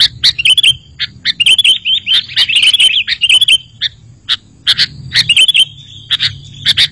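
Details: Sooty-headed bulbul song used to lure bulbuls: busy bursts of chirps and short looping whistles, broken by brief pauses.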